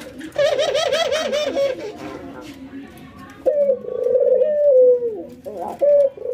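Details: Ringneck doves in training, albino white versus local, nodding and laughing: a wavering, harmonic-rich chatter at first, then after a pause a long trilled coo and a short final note.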